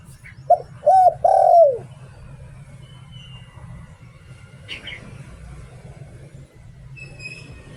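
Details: One 'Liu Tan' phrase from a Thai decoy spotted dove: a short coo, an arched hoot and a long downward-sliding coo, followed by several seconds of low hum and faint scattered noises.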